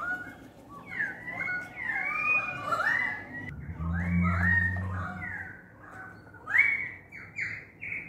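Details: Several Australian magpies, with currawongs, give rich, fluting warbles that rise and fall and overlap outside a window, with a brief low hum partway through.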